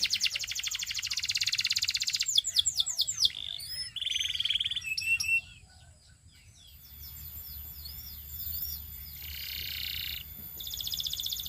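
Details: Singing Belgian canary delivering a loud high buzzy roll, a burst of sharp down-slurred notes and short rattles, then a hushed gap before soft whistles and further buzzy trills.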